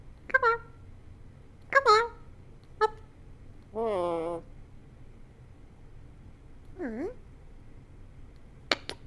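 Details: A pet Eclectic parrot named Archie gives soft, nasal squeaks a second or two apart, then a drawn-out wavering note and a dipping squeak, ending in faint clicks. Finding: bird.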